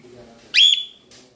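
A young cockatiel gives one short, harsh, high screech with a whistled edge that slides slightly downward, followed by a faint rasp.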